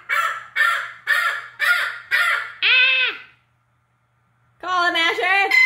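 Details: A 47-year-old pet red-lored amazon parrot screeching indoors: five harsh, rapid, buzzy squawks about two per second, then a long arched screech, a brief silence, and another loud, ragged, strongly harmonic screech.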